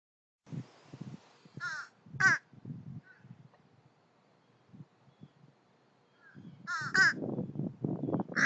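Young American crows give harsh, hoarse caws in two short bursts, a few seconds apart, with low rustling and grumbling sounds between them.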